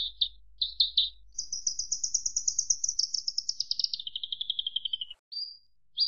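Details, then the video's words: Javan bush lark singing: short clipped notes, then a long rapid buzzy trill that starts high, slides steadily lower and ends in a brief silence before a sharp final note; clean recording without other sounds. "Suara Kicau Burung Branjangan"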